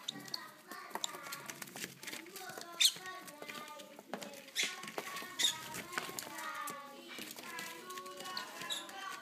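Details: Baby lovebirds being hand-fed beg with a dense stream of squeaky, raspy chirps that overlap and run on without pause, with faint clicks and handling sounds indoors.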